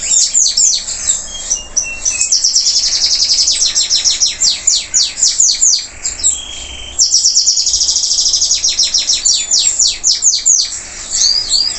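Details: A local canary that has finished moulting sings an energetic high song: fast buzzy trills, rows of clipped repeated notes and a few long flat whistles, broken by one short pause midway before the rapid chatter resumes.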